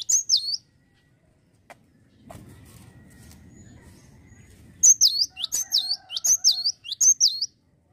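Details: Energetic cinereous tit song: a single high slurred whistle, a pause with low rumbling background, then a rapid series of five repeated bright two-part whistled phrases.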